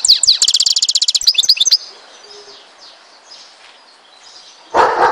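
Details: Algerian goldfinch from Tizi Ouzou opening with a rapid buzzy trill and sliding twitters, then falling quiet amid faint background hiss before a loud broad burst of noise at the end.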